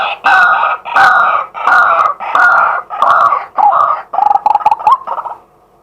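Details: A male white-breasted waterhen calls by day, recorded live on a set camera: about nine loud, harsh, nasal croaks repeated roughly every 0.6 seconds, ending in a faster stuttering run.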